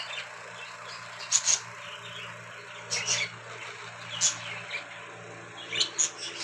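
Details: Budgerigars crossing give short, sharp, high chirps in scattered bursts over a low steady hum.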